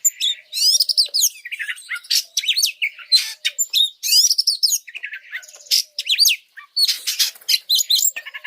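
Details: Oriental magpie-robin performing a long training song used to agitate other birds: continuous, richly varied high chirps, rattles and rising whistles in tight, busy phrases.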